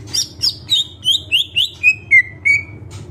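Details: Greater green leafbird in full isian song, delivering a quick descending series of bright whistled notes, each one slightly lower than the last, over a constant low background hum.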